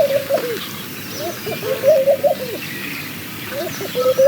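A laughing dove gives soft, low bubbling coos in quick rolling phrases, rising and falling like muffled laughter, with faint rural background sounds.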